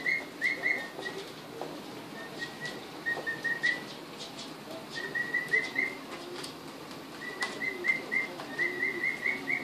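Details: Emu chicks two weeks old, just brought home and seeing the house for the first time, 24 February 2013, giving faint bursts of whistled peeps with gaps, over a hissy background.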